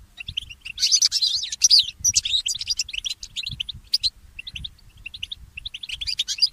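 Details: Goldfinch mule, a goldfinch hybrid, singing in the early morning: rapid twittering bursts of high chirps and short trills, with brief pauses between phrases and a faint low rumble beneath.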